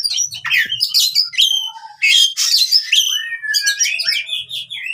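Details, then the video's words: Oriental magpie-robin in fighting song, used to coax silent birds into singing: dense, rapid jumble of high chirps, slurred whistles and harsh buzzy notes, with brief low thuds in the background. "KACER TARUNG COCOK UNTUK KACER MACET BUNYI"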